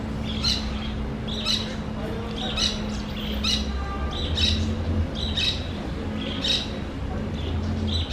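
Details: Macaw hiding among branches, giving harsh, loud squawks repeated about once per second in short bursts, over a steady low hum and rumble in the background.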